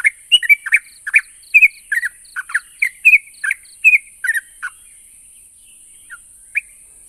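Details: Song of a yellow-vented bulbul meant to coax quiet birds into answering; dense burst of bubbly, squeaky chirps for about five seconds, then a pause and two isolated notes, with a steady hiss.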